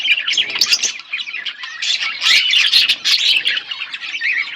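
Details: Budgerigar pair in continuous chirping chatter, a tangle of buzzy, scratchy notes and fast warbled whistles with no real gaps.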